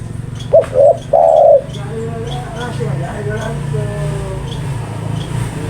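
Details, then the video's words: A spotted dove gives one clear three-part coo: two short rising notes and then a longer sustained note. A steady low hum and faint background sounds continue afterwards. "Burung Tekukur Paling Gacor"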